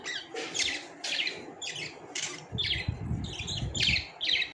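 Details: Captive budgerigars chirping in a quick series, bright high notes repeated about twice a second, with some low rustling partway through.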